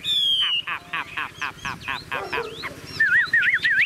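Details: Caged Chinese hwamei that sings even when its cage is carried and swung: a long whistle, a rapid string of rough stuttering notes, then quick wavering whistles.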